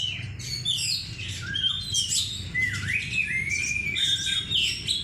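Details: Oriental magpie-robin lure song with loud, clear whistles, long gliding notes and fast twittering trills woven together without pause, against a steady low rumble.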